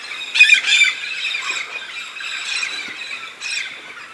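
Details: Red-spectacled parrots of a large flock that migrates each year to the Santa Catarina highlands, southern Brazil, for pinhão: a few loud, harsh squawks stand out over a softer background chatter of more distant birds.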